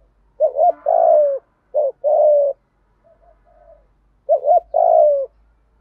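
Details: A spotted dove calls in the 'giọng thổ pha gù thúc' style used for training decoy birds. Mellow phrases, each a quick rising-falling double note then a longer descending coo, repeat three times with faint distant coos between them.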